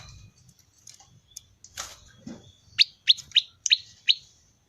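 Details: Prinia known as prenjak lumut producing its characteristic 'ceng-ceng' voice: six or so crisp, high, clipped chirps about every third of a second, preceded by a soft rustle and knock.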